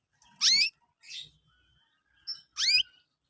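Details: Young canaries chirping, used as lure material for training canaries: three bright, steeply rising sweeping chirps with a short buzzy note between them, spaced about a second apart, in an otherwise quiet setting.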